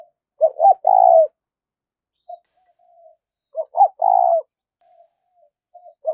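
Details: Spotted dove giving urgent 'thúc rút' cooing used as a lure for trapping wild doves: two clipped notes then a long burred coo, the phrase repeated twice, with soft low murmured coos between, quiet background.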